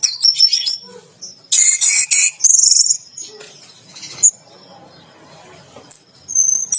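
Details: While bathing in a bath cage, an orange-headed thrush sings loud dense buzzy bursts and high chirps, followed by a quieter stretch with a few isolated whistles.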